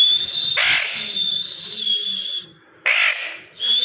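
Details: A parrot holds a piercing, even whistle for over two seconds, broken by a brief raspy squawk. After a short pause comes another harsh squawk, then the whistle resumes.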